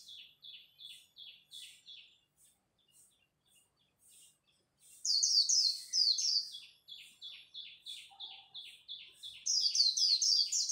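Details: Japanese white-eyes competing at dawn, líu song meant to spur newly caught birds: a steady string of short high chirps about four per second runs throughout, overlaid by loud bursts of rapid falling twitters.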